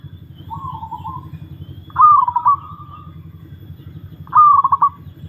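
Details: A kept zebra dove (perkutut), described as one of the oldest, is tested. It gives three warbling coo phrases, each opening with rapid stuttering notes and trailing off, about two seconds apart, over a low background drone.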